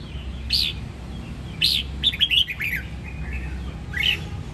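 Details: A red-whiskered bulbul from the Sông Kon area, Đông Giang, Quảng Nam, Vietnam, gives bright, chirpy notes in short bursts, with a quick run of rising, liquid notes midway, over a steady low hum.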